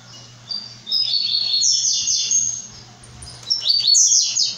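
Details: A brown-plumaged blue-black grassquit gives two shrill, buzzy outbursts of rapid descending slurs, each rising to a sizzling top, over a faint continuous hum.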